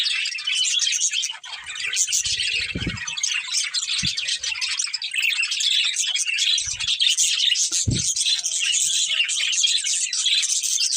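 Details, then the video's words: Breeding pair of budgerigars in long, unbroken high chatter of chirps and warbles, with a few dull knocks or thuds beneath the calling. "Cute Budgies Chirping Sounds"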